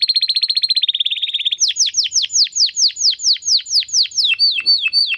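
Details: Domestic canary, sung as a master recording for competition birds; a fast rolling trill shifts into slower, evenly repeated downward-sweeping whistled notes.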